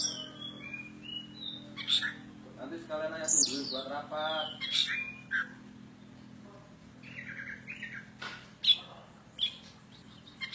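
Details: Javanese kacer poci (oriental magpie-robin) singing persistently: a rich mix of whistled slurs, harsh chips and a rapid harmonic chattering passage, with a faint low electrical hum throughout.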